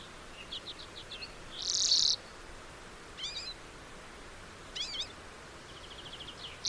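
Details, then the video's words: Lesser redpoll uttering a varied series: quick high chips, a loud harsh buzz, zigzag twittering notes twice, then a fast thin trill ending in another buzz. "Lesser redpoll 1h bird sound"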